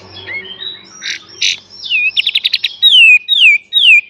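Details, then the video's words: Pied triller master song used to train cage birds, full beset and tembak style: soft chattering and harsh bursts, a rapid run of buzzy notes, then three loud clear whistles sliding downward. "KAPAS TEMBAK FULL BESET DAN TEMBAK"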